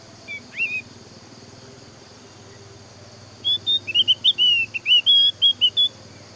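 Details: Javan grey-throated white-eye song, played to coax other white-eyes into singing: a brief note early on, a pause, then a lively burst of about a dozen sharp high whistles in quick succession over steady low hum.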